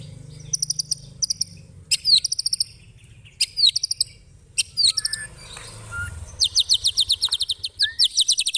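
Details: Long, rough chatter (ngekek) of a white-rumped shama: short bursts of high, ticking notes and falling slurs, then an extended, fast, regular rattle of dry, high ticks with brief whistled inserts.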